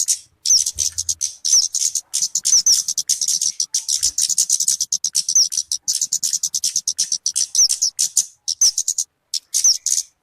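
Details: Talokan (kemade) bird call used for luring birds or as a tutor recording: a fast, steady stream of high, dry chipping notes with sharp downslurred whistles mixed in, nearly continuous throughout.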